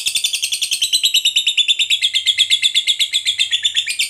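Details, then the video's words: Long 'ngekek' chattering of a fighter lovebird used to provoke others to reply: a sustained stream of sharp, high, rattling notes, roughly seven per second, steady in pitch and loudness throughout. "Pancingan Suara Lovebird Gacor Ngekek Panjang"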